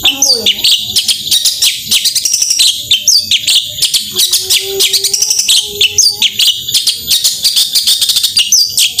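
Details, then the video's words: Long-tailed shrike singing 'gacor tembakan' to stimulate silent shrikes: continuous fast rattling chatter at high pitch, repeated whistled up-sweeps, and a soft lower whistle drawn out beneath the burst. "Ampuh Cendet Gacor Tembakan Merangsang Emosi Cendet Malas Bunyi Agar Cepat Ikut Bunyi"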